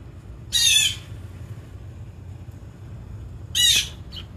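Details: Blue jay filmed in the wild, two coarse, grating squawks about three seconds apart, each roughly half a second long, with quiet low rumble between.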